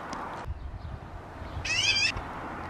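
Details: A magpie chick calling between preening, one harsh, buzzy, rasping call of about half a second after a stretch of dull rustling.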